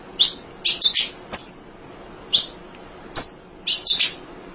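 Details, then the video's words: Munia chattering as a tutor for other songbirds: high, sharp chips given singly or in quick groups of two or three, spaced about a second apart, with quiet gaps between. "Kicau Emprit Ngoceh Tak Kenal Lelah Untuk Masteran"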